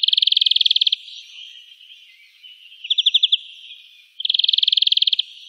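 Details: European greenfinch song recorded in the town of Wittlich, Germany, in 2018: fast, even trills of about a second, separated by a softer, drawn-out nasal wheeze and a brief rattling burst.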